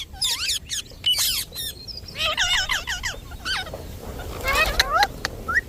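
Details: Indian ringneck parakeet, a talking pet parrot, gives harsh, squawky bursts of harmonic syllables in three or four separate groups, the last one rough and buzzy, with faint background rumble.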